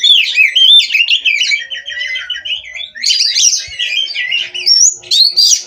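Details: Captive Oriental magpie-robin (kacer) from an Indonesian breeding farm, singing nonstop: a rapid, varied stream of high whistled phrases, trills and buzzy notes, sweeping up and down and shifting constantly with barely any pause.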